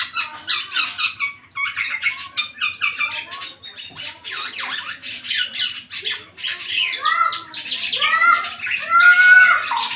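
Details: Black-naped oriole, eight months old, starting to sing in earnest: about one harsh burst per second, then clearer, fluty whistled phrases building in loudness toward the end.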